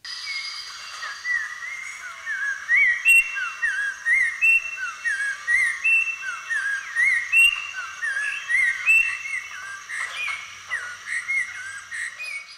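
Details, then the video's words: Spot-breasted oriole, which lives in urban parks in Florida, gives loud, clear, flute-like whistled phrases, rising and falling in a varied series, with a faint steady hiss behind. "Their vocalizations are pretty loud, flute-like, and quite variable."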